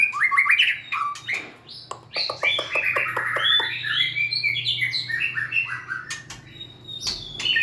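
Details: White-rumped shama, a small songster bird, pouring out a busy song of rapid chips and ringing whistled notes, some in quick repeated series, varied and continuous for several seconds.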